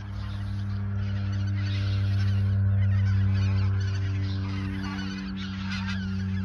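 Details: Geese at the Ochsenmoor reserve in autumn 2022, days before migrating south; bursts of chattering honks come and go over a loud, steady low engine drone.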